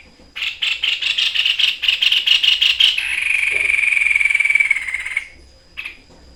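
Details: White-chested babbler, also called sniper bird, in vigorous full 'deadly shot' song: a quick volley of harsh rattling notes for three seconds, then one long drawn-out whistle that slowly slides downward, ending with a short final note.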